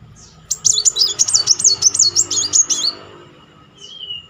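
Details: Burst of bright, rapidly undulating trills lasting over two seconds, ending in quieter faint slurred notes. A Kolibri Muncang sunbird gives this song to coax a non-singing bird into song.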